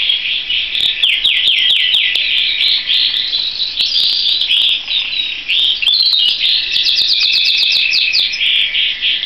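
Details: Canary singing a dense, high warble: series of quick downslurred notes repeated in runs, rapid trills and bright chirps, continuous and loud throughout with no other sounds.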